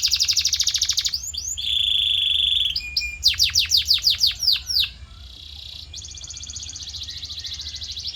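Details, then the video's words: Training song of a canary for shaping voice: rapid pulsed trill, a sustained flat whistle, a burst of steep falling sweeps, then a long, softer, buzzy rolling trill. "Special Audio to Shape Your Canary's Voice Character"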